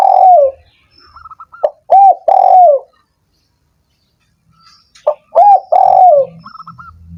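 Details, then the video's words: Cooing of a spotted dove, meant to spur sluggish doves into calling: two phrases of short clipped notes leading to a long hoarse descending coo, separated by a pause, with faint high twittering in the gaps. "suara PERANGSANG burung tekukur yang malas dan macet bunyi"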